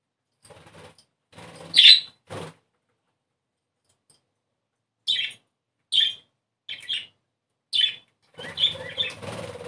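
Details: Budgerigar song for stimulating breeding, with scattered high chirps and squeaky notes in small clusters, separated by gaps, ending in soft chattering.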